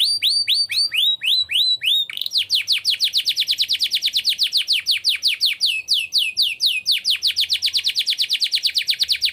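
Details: Singing canary in the ornate cengkok mewah style: a few looping high whistles, then a long, very fast rolling trill of sharp descending notes with slight shifts in pitch.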